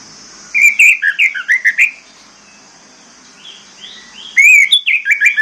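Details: Orange-headed thrush singing as a training lure for birds that will not sing: a run of rich, slurred whistles, a pause with soft notes, then another fast whistled phrase; faint high steady hum behind.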